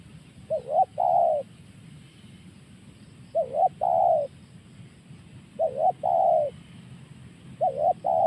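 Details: Tekukur, or spotted dove, calling in the 'tekan' style: a quick wobbling note then a fuller drawn-out coo, phrases spaced roughly two seconds apart, four in all with the last cut short, faint low rumble behind.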